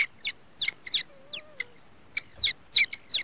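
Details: Grey francolin chicks on their first day: a busy run of short, high, sharply falling chirps packed close together, with a soft low whistled tone gliding beneath in the middle.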